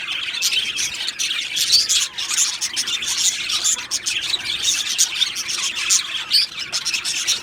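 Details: Two male Australian budgies chattering: a rapid, shrill warble of overlapping chirps with occasional sharper tweets standing out and a steady, unbroken flow.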